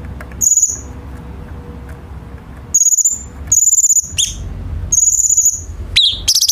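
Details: Cucak cungkok bulbul song used as a tutor for training captive songbirds: high, rapid buzzy trills repeated in bursts, with sharp up-slurred chirps near the end and a low background hum.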